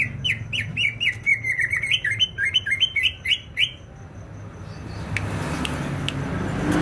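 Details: [2, 'Greater green leafbird from Banyuwangi, East Java, in full song: a quick series of bright whistled slurs for about three and a half seconds, then it falls quiet leaving only faint noise and a few clicks.']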